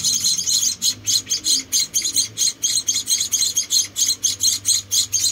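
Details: Munia chicks rescued as helpless babies, being fed: rhythmic, high, hissing chirps in regular pulses of roughly two per second, continuing without a break.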